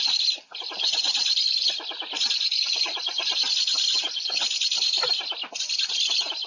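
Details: Harsh, airy hissing from a Black stork at afternoon feeding time, Łódź, 20 July 2020, carried on almost without a break and broken into quick, uneven clicking pulses.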